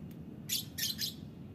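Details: Morning lovebird calls: three rough, buzzy chirps in quick succession, each about a tenth of a second long and spaced roughly a quarter second apart, set against constant low-pitched background hum.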